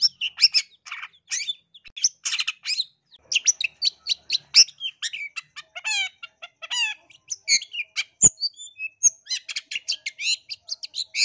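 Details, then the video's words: Long-tailed shrike from East Java, played as a lure to provoke other shrikes into aggressive singing: a dense, fast stream of high chirps, trills and short buzzy notes with brief pauses, plus one sharp click near the end. "Cendet Manapun Langsung Gacor Emosi dengar Pancingan dan Masteran Cendet Jatim biar Gacor Dor Emosi"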